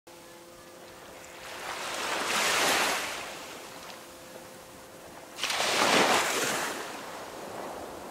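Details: Waves break twice in surging washes of surf, with a quiet steady hum between them and no animal voices.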